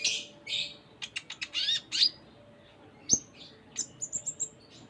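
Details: Van Hasselt's sunbird (konin) in energetic varied song: hissing buzzy bursts, quick chirps and rising slurs, then a sharp click and a thin high twittering run.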